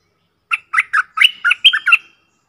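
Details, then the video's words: Decoy bulbuls calling in the forest, one of four decoy birds, recorded 31 July 2021. A lively series of seven short, throaty chirps in quick succession over about one and a half seconds, with a clear background. "เสียงต่อนกดอกแตงEp.68 เสียงต่อจากป่าจริงๆ นกต่อ4ตัว!!! Suara merbah lekir gacor"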